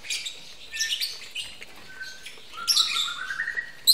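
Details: Captive lovebirds at a breeding aviary, during mating: bursts of shrill, high chirps and squeaky twitters, with brief rising notes near the middle and a denser run of sharp chirps in the second half.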